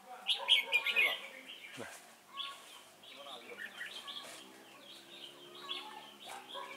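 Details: Red-whiskered bulbul used as a decoy for trapping at Chùa Hương on 28 November 2017, opening with a loud rapid twitter, then continuing with softer repeated chirped phrases over a faint low hum.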